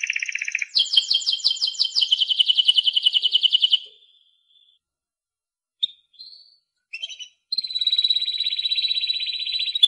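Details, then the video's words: Spanish Timbrado canary singing: fast, metallic rattling trills of rapidly repeated notes, high and bright, broken by a pause and short chips before another long, dense trill. "el cante del canario timbrado"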